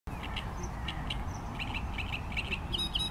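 A great reed warbler sings a loud, harsh run of grating, croaking notes, several per second, over a steady low rumble of wind or distant noise.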